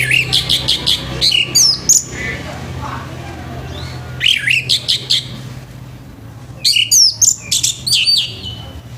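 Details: Orange-headed thrush in a harsh morning song aimed at getting other thrushes to sing: three bursts of rapid, varied chattering notes, repeated about four per second, each burst separated by a short pause.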